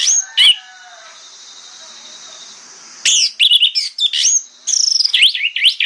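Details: Morning orange-headed thrush song, aimed at getting other thrushes to answer: an opening whistle, a quiet gap with high hiss, then rapid, varied whistles and a fast series of rising-and-falling slurred notes.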